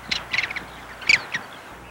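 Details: Little Gulls calling almost continuously while feeding over a marsh in northwest England: short, soft, high kay notes in quick irregular bursts from several birds over a faint hiss; quieter than Bonaparte's Gull's chatter.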